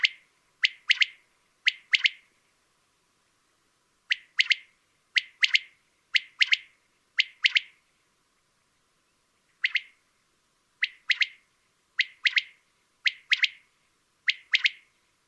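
Common quail giving its clipped, liquid three-note 'wet-my-lips' phrase, repeated in short bursts about every second, against a quiet background.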